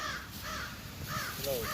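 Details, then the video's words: A crow in a backyard gives four harsh, hoarse caws about half a second apart as a warning, apparently alerting that a man was approaching from behind, after crows had attacked a blue jay; low outdoor rumble behind. "you can hear a crow in the backyard actually give a warning call."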